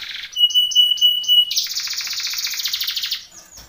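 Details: Belgian canary training song for contest: a low buzzy note, a string of short whistled chirps over a thin steady tone, then a dense rolling trill that slowly fades.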